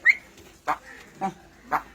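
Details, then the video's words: A pet myna mimics Malayalam speech: a quick high whistle, then three husky, speech-like syllables about half a second apart. Its nearby phrases include calling names and "what a cough". "മലയാളത്തിൽ സംസാരിച്ച് അത്ഭുതപ്പെടുത്തുന്ന മൈന I MYNA MALAYALAM TALKING"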